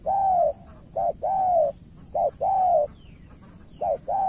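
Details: Cooing of a spotted dove used as a decoy against a wary opponent in Cà Mau, Vietnam: a soft low short note, then a longer sliding hum, repeated three times, with a thin steady whine behind.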